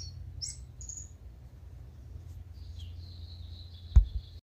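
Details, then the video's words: Tūī calling at dawn before sunrise in Manawatu, New Zealand: short high whistles and a sustained thin tone near the end, with a sharp click, over low background rumble. "Tūī Waking up Before Sunrise"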